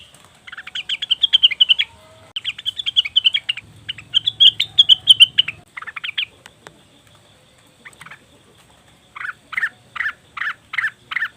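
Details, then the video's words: Leafbird lure recording for attracting wild birds: fast chattering trills in several bursts, then a quiet gap, then a slower row of separate buzzy notes. "pancingan burung cucak wilis/rengganis dijamin langsung bunyi"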